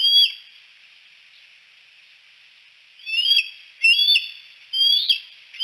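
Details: Three bald eagles perched on the Y branch at Decorah at sunset: one high chirp, a long quiet stretch, then a burst of several shrill whistled notes with rising slurs, about one per second.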